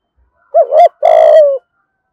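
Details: Close, loud spotted dove coo in the local style for luring wild doves: a wavering double coo followed by a long, slightly rough coo that slides gently downward.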